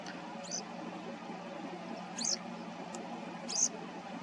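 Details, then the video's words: A Western Yellow Wagtail, while eating, gives three short, high, thin chirps spaced a second or more apart over a steady low background hum. "נחליאלי צהוב אוכל ומצייץ, Western Yellow Wagtail eating and chirping"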